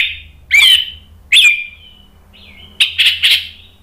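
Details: Orange-headed thrush singing, played to provoke a silent bird into replying. Three loud, clear whistled bursts with quiet gaps between them, ending in a quick cluster of harsh, ringing high notes.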